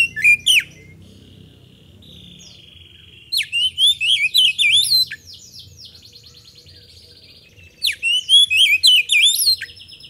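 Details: Oriental magpie-robin lure song to prompt a response: a short opening chirp, a thin sustained tone, then a rapid chain of bright whistled notes, silence, and a final quick burst of sweeping whistles.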